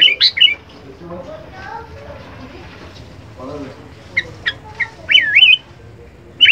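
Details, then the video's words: Sooty-headed bulbul giving loud, bubbly whistled notes in short bursts, ending with a rolling, looping phrase, over faint murmuring voices; a full-power recording used for tutoring and luring other songbirds. "kutilang full power masteran"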